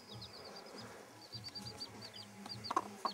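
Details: Bantam chicks beside their broody hen, peeping in quick high chirps, with two brief clucks at the end over a low hum.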